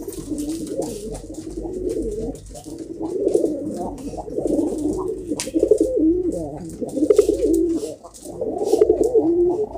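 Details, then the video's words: Pigeon flock in a loft, continuous low warbling coos from several birds rising and falling in overlapping phrases, with occasional clicks. "Pigeon bird latest video // top pigeon video // my kobutor."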